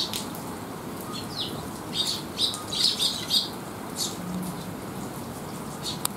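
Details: Juvenile sparrows taking shelter from rain after feeding on a wet day in July 2021: a run of bright, high chirps clustered mid-clip, repeated rapidly, then sparser notes, over steady rain noise.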